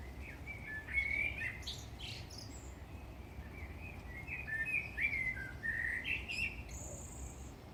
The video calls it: Black bird singing